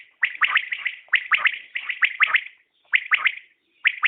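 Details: Common quail calling, a new recording: sharp three-note phrases repeated about once a second, each a quick trio of bright chirps, with brief silent pauses between bursts.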